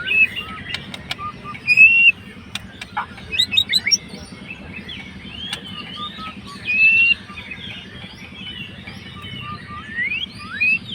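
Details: White-rumped shama, a fighter-type bird, singing to provoke a rival's emotions; varied clear whistled phrases, rising and falling slurs and sharp chirps with scattered clicks, over a steady low hum.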